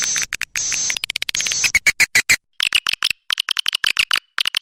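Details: Swiftlet calls played to attract the birds: clicking, rattling chatter in rapid pulses with brief high buzzy bursts, stopping and starting throughout.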